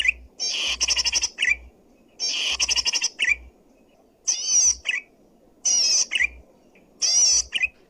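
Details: Zitting cisticola in full song, used for luring or training other birds, loud and clear. High, dense bursts of rapid buzzy chattering notes, each ending in a short rising twitter, repeated about every one and a half seconds with brief pauses.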